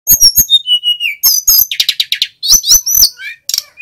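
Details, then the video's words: Male mountain flycatcher in full song, used to prompt other captive flycatchers to learn and sing: high whistled notes sliding downward, mixed with sharp chirps and clicks in quick bursts, ending with thin rising whistles. "Burung SIKATAN GUNUNG Jantan FULL GACOR ‼️ Suara pancingan"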